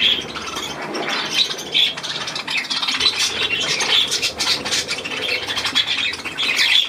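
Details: Budgerigars kept as pets, recorded 12 July 2022, trade high scratchy chirps and squeaky squawks in an uneven, overlapping chatter that swells and fades throughout.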